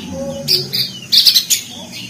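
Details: Crested white-eye (opior jambul) from Lombok, NTB, in ngeriwik chatter, used as training audio for reluctant or communally kept cage birds: short bursts of buzzy, high, harsh notes separated by brief pauses over a faint low hum.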